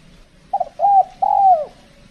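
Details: Spotted dove heard while being lured with a decoy in cold-season weather, when the birds respond less boldly. One soft three-part coo: a brief opening note and two drawn-out, hollow tones, the final one sliding downward.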